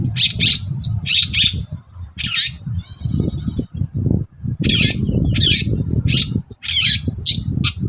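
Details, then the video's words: Long-tailed shrike singing energetically in the morning to provoke other shrikes into answering: paired harsh chirps, a short buzzing rattle midway, then quick runs of grating notes. Persistent low-pitched background rumble throughout. "BURUNG CENDET GACOR PAGI HARI BIKIN CENDET MANAPUN LANGSUNG NYAUT"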